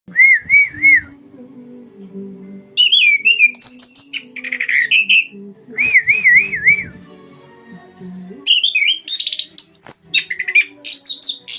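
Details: Orange-headed thrush singing loudly, as used to provoke other orange-headed thrushes into aggression; clear whistled phrases with wavering trills alternate with bursts of high scratchy notes and short pauses, over a faint low hum.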